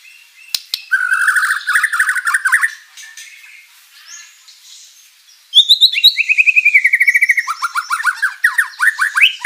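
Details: Vigorously singing white-rumped shama used as a lure to draw a reply from rival birds: fast rattling trills, a pause, then a dense run of rapid repeated chips and rising whistled notes.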